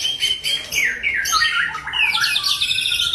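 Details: ['White-rumped shama singing wild in Bahorok forest: dense, fast, high-pitched chattering phrases of varied sweeps and twittering notes, delivered almost without pause.']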